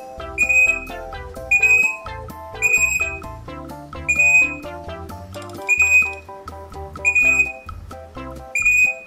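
Crimson rosella giving a clear, high whistled note, repeated about every second and a half over music.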